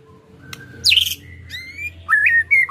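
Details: White-rumped shama in the ketrekan style, a lure for caged birds: a loud harsh downward squawk, then steady whistled notes and quick up-and-down warbled phrases over a low background hum.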